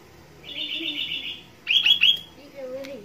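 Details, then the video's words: Sooty-headed bulbul singing actively, captured as fill-in song: a buzzy, even chatter lasting about a second, then three quick loud rising notes, followed by faint low sounds. "kicau kutilang gacor isian"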